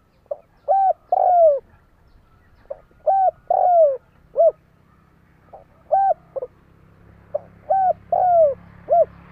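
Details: Spotted dove kept as a lure, calling to draw wild doves: repeated phrases of soft pips, hollow arched coos and long sliding falling coos, roughly every two to three seconds.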